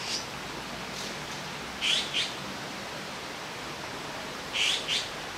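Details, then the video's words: Azure-winged magpie fledglings perched side by side on a branch near the nest in Jirisan National Park, Korea, awaiting food from a parent; two short pairs of harsh, raspy calls, spaced about three seconds apart, over a quiet background hiss. "물까치의 육추"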